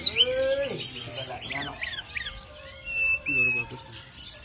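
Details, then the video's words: Brown-chested jungle-flycatcher chirping for other birds: bright, high chirps and slurred whistles tumble over one another, ending in a rapid run of sharp ticking notes, with a lower, voice-like sound at the start. "brown-chested jungle-flycatcher chirping for other birds"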